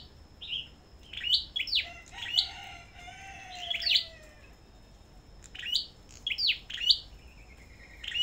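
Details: Sâu đầu đỏ songbirds at a bird farm in a singing competition, giving loud, sharp high chirps and rapid twittering phrases in bursts, with a steady high whine in the background and a softer lower whistle midway.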